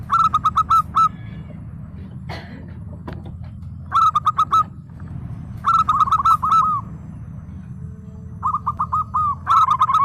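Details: Local Indonesian zebra dove (perkutut) in full song, answering: several bursts of five or six quick, clipped cooing notes at mid pitch, separated by pauses, with clicks and a steady low hum behind.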